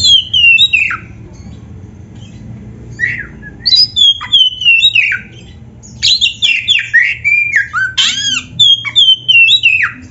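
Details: Oriental magpie-robin in vigorous full song, played to train beginner or reluctant kept birds. Descending whistled trills and slurs, a quieter gap, then clustered rapid chirps and sweeping notes repeated about three times a second.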